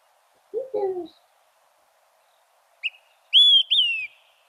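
Olive-sided Flycatcher's 'quick three beers': a short sharp note, then two loud whistled notes, the first rising and the last slurring down. A brief low voice comes first.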